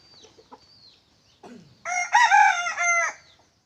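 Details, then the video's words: Decoy wild red junglefowl cock, said to crow very loudly, recorded 27 October 2020: one loud rough crow of about a second and a half with a brief break partway, preceded by soft rustling and faint calls. "Gà mồi to,, qaib qus txuam seej heev li"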